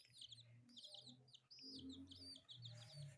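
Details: Four colourful pet chicks playing, giving bright high peeps that rise then fall, packed in quick runs, over a steady low hum and rumble throughout.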